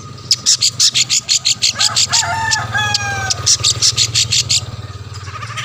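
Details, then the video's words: Long-tailed shrike, a lively singing bird used to provoke rival shrikes into singing; rapid harsh, buzzy chatter of about fifteen evenly spaced bursts, broken midway by a few thin whistled notes, over a steady low hum. "burung cendet gacor pendongkrak emosi lawan‼️ pancingan / masteran handal"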